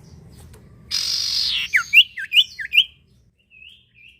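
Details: Common iora in full song, used as a lure to prompt other birds to sing: a rough hissing rasp, then four quick rising whistled notes and two faint soft whistles trailing off.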